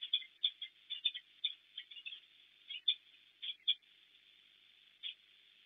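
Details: Peregrine falcons at a nest on an industrial site in Płock, Poland, on 12 March 2024, in the morning as the male delivers prey to the female: rapid, clipped kek-like notes in uneven bursts, narrow and tinny.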